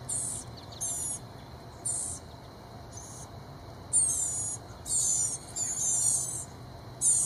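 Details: Excited Blue-gray Gnatcatcher nestlings calling as bug-carrying parents near the nest. High, hissing, buzzy bursts come faster and louder toward the end, with a constant low droning hum behind.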